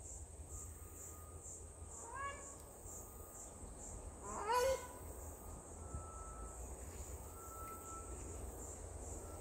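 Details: African crowned crane in wetlands at a dam in KwaZulu-Natal, South Africa, where a pair arrived in October and raised two chicks; two harmonic honking calls, a short one early and a louder rising-then-level one midway, over steady high hiss and low rumble.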